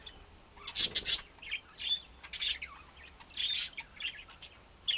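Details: Budgerigars at home giving harsh, raspy squawks and chirps in quick succession, a few loud broad bursts among buzzy chatter.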